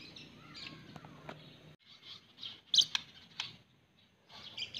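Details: A pet white-rumped shama sings a varied run of high chirps, short downward-sliding whistles and sharp clicks, with a loud cluster of notes in the middle and softer phrases at the start and end.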